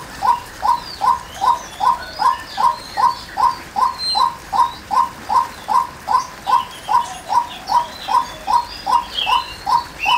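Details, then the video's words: Female white-breasted waterhen repeating a short, hollow call note in a steady rhythm, roughly twenty-five notes in ten seconds. Scattered high twittering from other birds runs throughout. "Chim Cuốc Mái Kêu"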